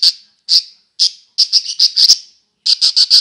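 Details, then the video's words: Playing budgerigars give loud, clear, high chirps, first single notes about half a second apart, then rapid runs of four or five in a row with brief silences. "Wellensittiche am Spielen"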